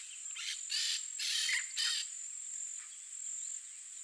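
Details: Nesting peach-fronted parakeets at a termite mound give four loud, scratchy screeches in quick succession, then softer rasps. A sustained shrill insect tone continues in the background.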